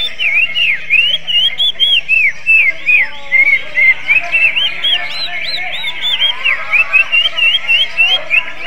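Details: Greater green leafbird singing in a style said to resemble the oriental magpie-robin; loud, rapid series of arched, slurred whistles in short bursts, several per second, with the bird's own chattering notes beneath and a faint low hum.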